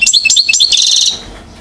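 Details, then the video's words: A one-year-old European goldfinch known as acrobate, Mouzaia, Algeria, 2012. It delivers a quick run of sharp high chirps flowing into a dense buzzy trill that fades out after about a second. "chardonneret acrobate"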